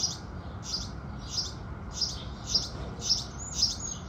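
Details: House sparrows singing at sunrise in the morning: a steady run of short, bright chirps repeated about twice a second over a soft low background hum.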